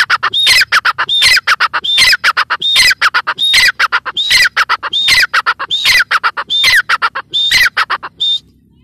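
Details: Loud, rhythmic call of a female grey francolin, or teetar: about eleven harsh phrases in a steady beat, each a quick burst of rasping notes with a bright whistled upstroke, ending in a trailing note, then quiet.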